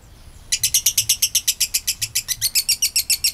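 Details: Long ngekek trill of a Kabayan lovebird, played to prompt other lovebirds to sing. After half a second of quiet, the harsh, rapid chattering starts abruptly and runs steadily at about seven notes per second.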